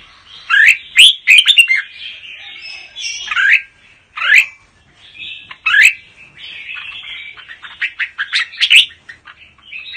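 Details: A 'Mơ' red-whiskered bulbul sings double-voice song. Bright whistled notes swoop up and down and are grouped into lively phrases. Short gaps separate the bursts over ten seconds, with no other clear sounds.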